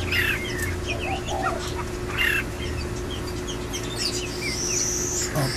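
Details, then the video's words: Red-whiskered bulbul giving short slurred whistled notes, a bright burst near the start and another about two seconds later, over a steady low hum with faint calls of other birds in the background. "Red Whisker Bulbul"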